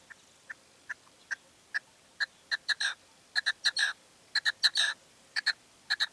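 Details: A male red-legged partridge calling in late evening light in La Serena, Extremadura, giving harsh, clipped chuck notes, first spaced out, then bunched into quick rhythmic bursts of two and three against a quiet background.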